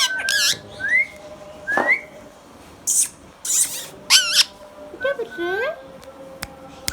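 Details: Green hand-tame Indian ringneck parakeet talking indoors: short clipped word-like syllables and a couple of upslurred whistles, separated by brief pauses, ending with a sharp click, over a low steady room hum.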